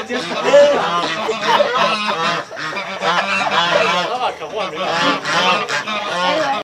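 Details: Noisy geese at a countryside home with other animals around produce a continuous, dense chorus of overlapping nasal honks, rising and falling in loudness for several seconds.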